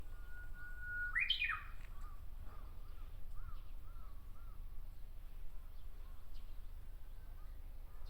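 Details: Japanese bush warbler singing in a tree in Miyakonojo, Miyazaki Prefecture, Japan: one long, steady whistled note of about a second, then a loud, quick flourish that sweeps up and down. Faint repeated crow caws follow over a low background rumble.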